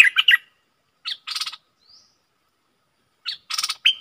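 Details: A short phrase of liquid, chirpy notes from a caged stripe-throated bulbul (7 June 2021), followed by two rough buzzing rattles separated by silence and a faint thin whistle, ending on one clear note.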